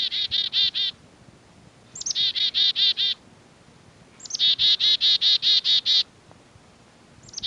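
Black-capped Chickadee giving three bouts of its alarm call, each a high thin opening note followed by five to nine harsh, buzzy 'dee' notes in quick succession.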